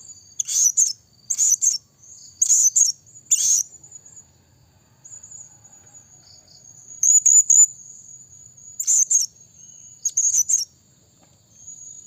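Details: Lure call of a blue-crowned hanging parrot, used to draw in other birds: rapid, piercing high chattering bursts, four in the first four seconds, then a quiet gap, then four more, joined by a faint sustained high whine.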